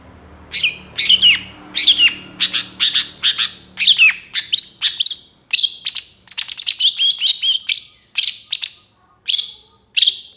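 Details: Master recording of a young moulting long-tailed shrike with a full varied song, used as a lure: bursts of sharp, scratchy high notes and quick whistled twists, in grouped phrases with short pauses, faint hum early.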